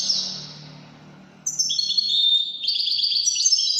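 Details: Goldfinch singing in the Widani style: a faint rolling phrase at the start, then a loud, lively run of high whistled and twittering notes with quick jingling trills.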